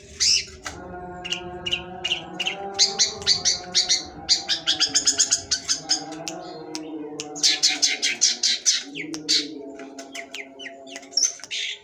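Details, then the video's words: Long-tailed shrike singing in the sembur style: bursts of rapid, harsh, high chattering notes in quick runs, broken by short pauses, over a steady low droning hum throughout. "cendet sembur"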